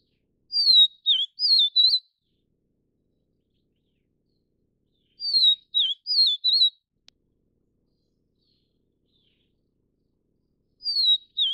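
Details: Vivid niltava of the Taiwan-endemic subspecies Niltava vivida vivida, at a nest while feeding chicks. It gives short high whistled phrases that wind up and down, grouped in bursts of three or four notes roughly every five seconds, with silence between.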